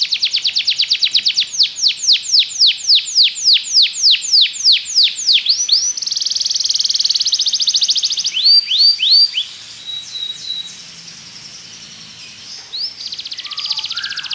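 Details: Belgian canary song for training other canaries: a loud series of descending sweeps slowing slightly, then a dense buzzy trill, a few more sweeps, and softer scattered whistles before a final buzzy phrase.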